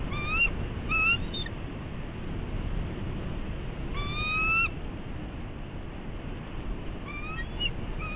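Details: Bald eagle on high alert at its nest on Catalina Island, California, caught by a nest camera on 11 March 2016; thin rising whistles in short clusters near the start, at four seconds and near the end, over constant wind noise.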